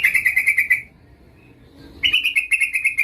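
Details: Female yellow-vented bulbul calling a male, lively lure call: a fast pulsing chatter, a second of near silence with low hum, then another rapid run of bright repeated notes.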